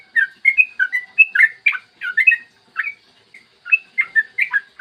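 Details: Yellow-vented bulbul delivering a clear morning song of the long 'ropel' kind, used to prompt other bulbuls to sing: rapid, bouncing liquid notes in clustered phrases separated by brief gaps.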